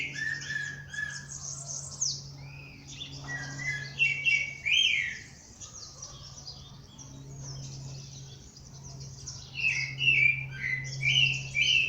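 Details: Birds singing at dawn in nature: several overlapping voices with chirps and warbled phrases, some clear whistled notes and louder trills, over a steady low hum.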